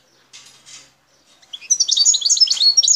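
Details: Wild goldfinch from Bouteldja, El Tarf, Algeria: two faint soft notes, then a burst of bright, quick twittering and chirps rising in intensity.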